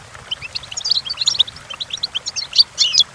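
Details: Goldfinch song for teaching goldfinches to sing: a fast, high twittering run of short chirps and tinkling notes, growing denser and brighter toward the end, over a faint low hum.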